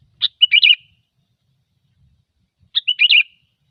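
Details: Sooty-headed bulbul, gecor song for bird luring: two identical bright phrases, each a sharp note then a quick bubbling trill, spaced about two and a half seconds apart in silence.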